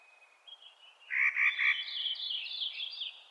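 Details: Clark's nutcracker calling in spring: a soft thin tone, then a loud grating, rasping call broken into quick pulses that trails off into a buzzy, scratchy tail.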